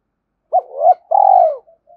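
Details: Spotted dove giving a hai hậu style call to stir other doves: a clipped opening note sliding into a coo, then a long rolling coo falling at its end, followed by faint soft murmurs.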